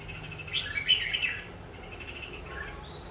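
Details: Red-whiskered bulbul singing during bird trapping, a short burst of bright chirping, warbled notes lasting about a second, followed by quiet background with a steady high insect-like hum.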